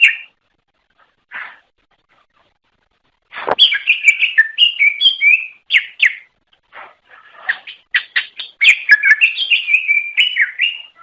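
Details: Greater green leafbird singing to attract other leafbirds: scattered opening notes, then a sustained, rich medley of chirps, trills and slurred whistles.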